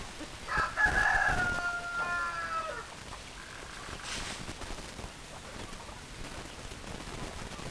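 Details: A chicken giving one long harmonic crow lasting about two seconds, level then falling at the end, followed by quiet background with a short noisy burst.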